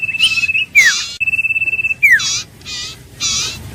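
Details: Iora giving high, even whistled trills that each end in a sharp falling slur, separated by broad, buzzy, rasping bursts of sound.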